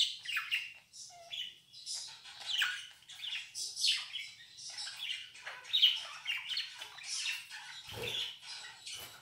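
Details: Domestic budgerigar 'laughing' in a lively stream of raspy warbles, sharp squeaks and rapid chirps, steady with no long gaps, plus one low thump near the end.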